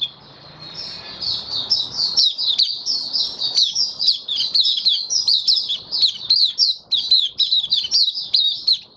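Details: Caged white-eye in Singapore on 18 May 2022, singing after regular deworming and health supplements: a sustained, dense high warble of tumbling sweet notes running without a break.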